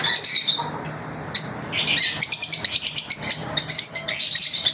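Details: Pet lovebirds chirping during their daily routine: dense bursts of shrill, high chirps and harsh twitters, tumbling rapidly and overlapping, with a brief quieter gap near the start and a faint low hum beneath.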